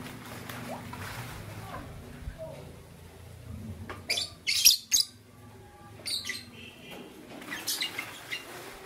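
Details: A pair of green violin lovebirds in the morning give short, shrill, scratchy chirps in a few sharp bursts a second or two apart, over a low steady indoor hum.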